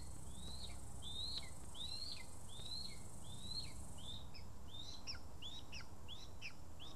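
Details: Lesser spotted eagle at the nest in Estonia on 2 August 2020, amid vole feedings. Clear, high arching whistles repeat about every half second, then shift into quicker, shorter, sharply falling notes.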